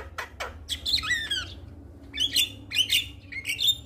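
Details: Calling male Black-winged starling directed at a female: two short downward clicks, then a loud wavering whistled phrase, followed by three separate harsh squeaky bursts about half a second apart.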